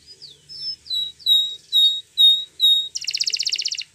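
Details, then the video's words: Canary song for training. A run of clear, slurred whistled notes, each about half a second apart, breaks into a fast, buzzy high trill. "Your Canary Will Sing Immediately"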